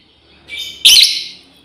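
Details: A female lovebird calls for its flock mates with a single piercing, raspy shriek, led in by a softer rising note and fading away quickly; no other sounds.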